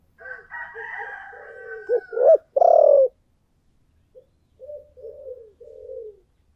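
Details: Spotted dove used as a decoy bird, singing in the prized 'giọng thổ' style: deep, hoarse coos in a rapid run, one loud drawn-out coo near the middle, then softer repeated notes. A thinner, higher whistled tone sounds at the start.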